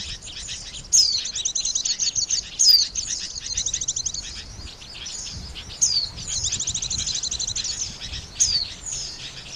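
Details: Oriental white-eye calling to lure birds into traps: repeated sharp high falling whistles followed by rapid buzzy trilled chatter, with a faint low background rumble.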